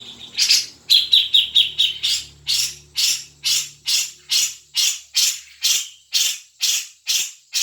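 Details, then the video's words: Grey-cheeked bulbul song used as a lure to get a caged bird singing: a steady series of harsh, buzzy chattering notes, about two per second, opening with a quicker burst of clipped chirps. "pancingan cucak jenggot biar bunyi"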